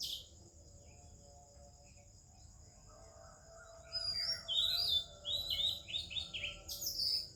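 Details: Oriental magpie-robin in Indian morning birdsong, other birds present: near-silence with a thin steady high tone, then from about four seconds a rich tumbling sequence of sweet, varied whistled notes.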